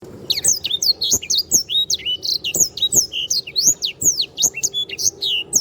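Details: Canary singing continuously, used as a tutor recording for training cage birds: rapid sequence of sharp, high whistled notes sweeping down and up, packed closely together, with soft clicks and knocks in the background.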